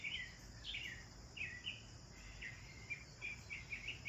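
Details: Sparrows chirping as they bathe in a garden: clear, short, downslurred chirps repeated every fraction of a second, a lively back-and-forth with a steady faint high hum underneath.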